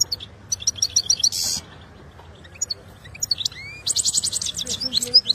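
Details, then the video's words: Saira goldfinch in full training singing, Quetta: bursts of high twittering notes and buzzy trills, a pause with a rising whistled slur, then a renewed fast twitter. "Saira must watani full training singing goldfinch joker saira"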